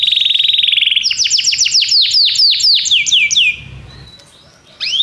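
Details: Belgian canary in song, played to encourage a non-singing canary: a fast even trill, then a cascade of sweeping downslurred notes, a fading pause and a closing high upslurred whistle.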